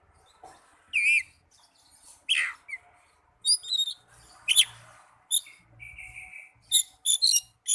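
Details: Oriental magpie-robin song used to stimulate caged birds to sing: separate bright whistled phrases, some sliding and warbled, others short high notes in quick clusters, with brief pauses between bursts and a faint low hum underneath.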